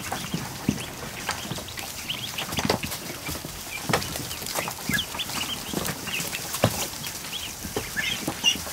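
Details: Freshly hatched ducklings, over a hundred, crowded in a barn kiddie pool in the afternoon, peeping nonstop in quick, high, chirpy notes layered over one another, with faint water and movement sounds.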